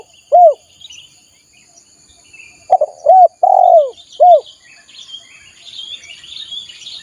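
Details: Spotted dove cooing, played to lure wild doves. A single hooked coo, then after a pause a full phrase of stuttered notes, an arched coo, a long falling coo and a short final note. Chirping birds and insect hum behind.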